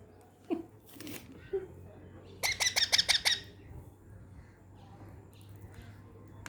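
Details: Rescued Indian baby parrots, found fallen near a house and kept only until they can fly and feed themselves, beg hungrily at feeding time. Mid-clip, six rapid rasping squawks come in a tight burst, with faint voices and room hum.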